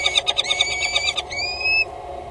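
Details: A mating pair of peregrine falcons at a water tower in Axel, 6 March 2018, 15:23, no eggs yet, give a quick burst of harsh, chittering notes, then a drawn-out, whining cry that rises slightly and holds steady.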